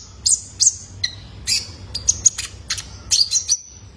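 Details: A young male kolibri ninja's call, used to prompt caged birds: clusters of piercing high chirps and brief buzzes, separated by short pauses.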